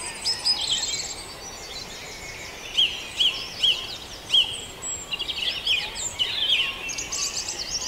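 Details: Dawn chorus at Farndale with several birds singing together: high, bright chirps and trills, plus a run of four loud, sharp whistled notes about half a second apart midway through, over steady background hiss.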